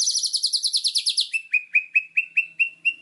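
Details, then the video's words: White-rumped shama on a master recording for training birds: a fast, high, buzzy trill lasting over a second, followed by crisp downslurred chip notes repeated about every quarter second. "MASTERAN MURAI BATU GACOR !!! FULL ISIAN LANGSUNG EMOSI !"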